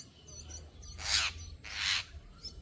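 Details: Jungle myna, locally called jhuti shaliki or bhatshaliki in Assamese: two loud, harsh, rasping bursts about a second apart, each lasting roughly a third of a second, with faint high chirps and low background rumble between.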